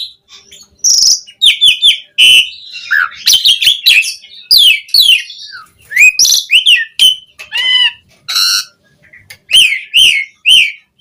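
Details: Asian pied starling in varied training song used to coax captive starlings into singing: separated bursts of shrill whistles and squeaky, bending notes, some rising and falling sharply, with short silent gaps between phrases.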